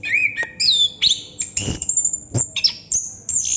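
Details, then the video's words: Anis kembang, the chestnut-capped thrush, delivering ngerol song: clear whistled slurs alternating with thin high sweeps and a few harsh clicks. "Burung Anis kembang / Plontang Ngerol Non stop durasi panjang"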